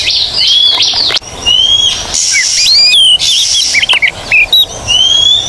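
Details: Kacer, or Oriental magpie-robin, singing for training birds that will not sing: long rising whistles and twisting warbled phrases, alternating with harsh broadband rasps, closing with an extended whistle.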